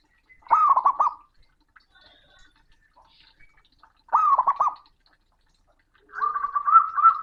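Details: Loud, booming song of a male zebra dove calling out to a rival. Three bursts of fast, rolling coos, the first two alike and evenly spaced, the last a flatter, drawn-out trill, with near silence in between.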